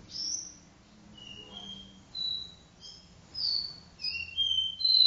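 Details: Copper seedeater singing the 'do-re-mi vibrasom' song style indoors in a living room: pure, high whistled notes, some steady and some gently sliding, given in short separated phrases with brief pauses, against faint low room hum.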